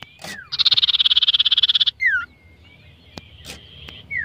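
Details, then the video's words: A common iora being warmed up and provoked before a song contest gives a loud, buzzy, rapidly pulsed trill, then sharp downward-slurred whistles and a thin sustained whistle. "Pemanasan Sebelum Gantang,Pancing Emosi Sirtu"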